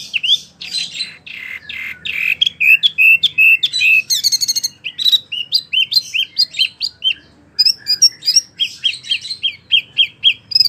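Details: Long, spirited Wambie mini performance: scratchy warbles, repeated hooked whistles, brief rattling trills, then a steady series of clipped downslurred notes about every half second.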